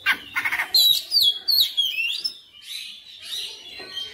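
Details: Oriental magpie-robin singing persistently, displaying its full repertoire (bongkar materi): rapid rasping bursts open into loud clear whistles stepping downward, then softer scratchy warbles.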